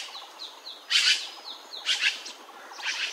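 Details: Azure-winged magpie uttering broad, grating calls every second or so, with thin, faint rising notes and soft low twitters in the background.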